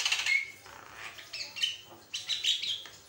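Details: Loud, lively Javan myna song, serving as a master recording for other mynas: mixed piercing whistles, squeaky chirps and harsh chattering notes in quick, irregular phrases, bright and high-pitched throughout.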